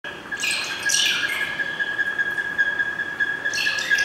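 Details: A male buff-crested bustard at a zoo gives harsh, raspy squawks in two bursts, prompted by a nearby Micronesian kingfisher calling, over a steady high whine in the background.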